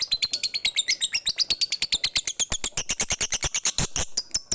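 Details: Lovebird giving a long chattering ngekek song from Bali, meant to lure other lovebirds into singing; rapid, steady stream of high, shrill squeaky notes, the early notes dropping slightly, then turning into harsh clicking pulses.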